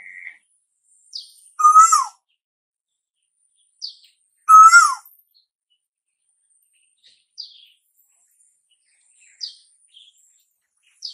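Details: Asian koel, whose calling is said to announce summer, gives two loud rising-then-falling whistled notes about three seconds apart. Soft, high, short chirps from another small bird are scattered throughout.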